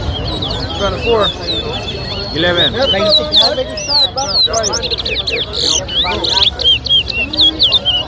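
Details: Caged towa towa in a bird whistling competition at Lusignan, Guyana, 2023: rapid high, warbled and twittering notes in continuous runs, mixed with crowd talk and background music.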